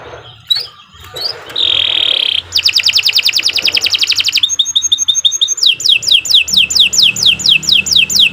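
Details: Kenari, the Atlantic canary, singing a lively long song for tutoring other canaries: faint notes, a buzzy rattle, a rapid rolling trill, crisp chips, then repeated loud downslurred whistles.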